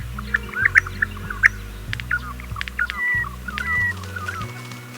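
Regent Honeyeater giving soft chuckling notes and sharp bill clicks in quick, uneven bursts, with a few drawn-out whistles; background music plays throughout.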